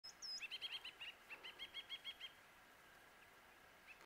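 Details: A White-browed rosefinch gives a quick run of about a dozen short, bright chirps over two seconds, opening with a thin high note, against faint background hiss.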